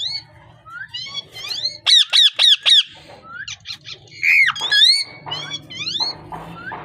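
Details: Loud parrot squawks and chirps, including a run of four evenly repeated arched notes, then scratchy bursts and upswept whistles, over a faint low rumble.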